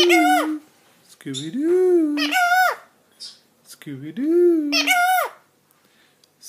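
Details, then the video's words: Twelve-year-old female rescued Hahn's macaw indoors, producing raspy speech-like phrases with strong harmonics, two similar sliding low-then-rising utterances repeated about three seconds apart, in a quiet room. "Toto the Hahns Macaw - Talking "Hey baby" "Wat you doing" "Hello" "Pretty boy""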